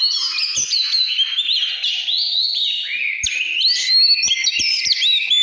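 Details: Continuous căn lửa song of an Oriental magpie-robin, with dense, varied whistles, quick slides and chattering notes delivered without pause, plus a few soft clicks in the background.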